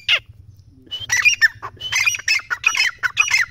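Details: Partridge calling excitedly: one sharp note, a brief pause, then a dense, rhythmic chain of grating squawks.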